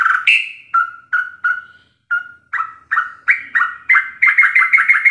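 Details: Sooty-headed bulbul song for training captive birds: spaced mellow whistled notes that gradually quicken into a dense run of rapid chattering phrases.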